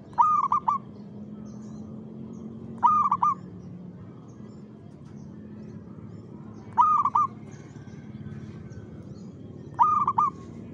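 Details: Zebra dove (perkutut) singing steadily in rhythm: four short rolling coo phrases, repeated roughly every three seconds, with soft, slightly trilled notes over a faint low drone.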